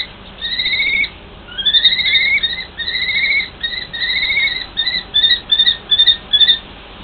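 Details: Common kestrels, a mated pair, calling to each other in a long exchange. A drawn-out whining note, then rising, slurred whines, followed by shorter clipped notes in quick groups. The background is quiet.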